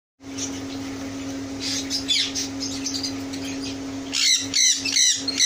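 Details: Yellow Indian ringneck parrots, a breeding setup, giving harsh squawking calls that grow louder toward the end, over a steady low mechanical hum.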